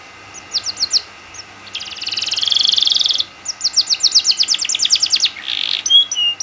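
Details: Canary in full song, played to coax other canaries into singing: quick high chirps, a dense buzzy trill, then a long run of rapid sweeping notes and a short rattle.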